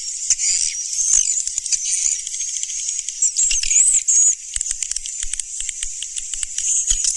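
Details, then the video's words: Swiftlet sound of the Surya Mentari style from 2019: a dense, continuous high rattling twitter with fast buzzy chatter and brief bright chirps, pulsing without pause. "SUARA BURUNG WALET SURYA MENTARI TERBARU 2019"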